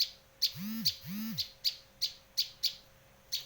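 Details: Bar-winged prinia from Indonesia, for luring and training birds: two low rising-then-falling whoops open the clip, while crisp high chips repeat roughly every quarter second throughout.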